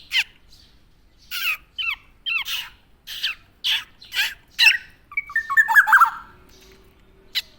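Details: Tame black-naped oriole, Javan, vocalizing busily: a run of harsh, squawky nasal notes with bent tones, ending in a descending chattery phrase, in a quiet setting.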